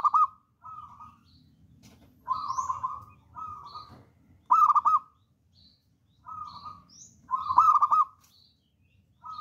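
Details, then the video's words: Zebra dove of local wild stock, described as bold and vocal, used for luring other doves: a steady series of short low coos alternating with loud, rapid stuttered trills, with faint higher chirps between. "PERKUTUT LOKAL ALAM GACOR"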